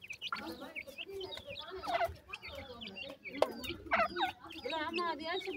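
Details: Grey francolin chicks quarrelling with the mother bird after feeding make a busy mix of high, wavering peeps, bent chirps and fast trilled notes. Softer clucking runs beneath, with a few sharp taps.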